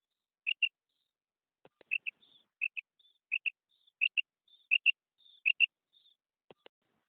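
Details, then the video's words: Female quail call: paired short, sharp high notes repeated about every 0.7 seconds, with faint thin whistles between pairs and a few soft low clicks. "female quail call"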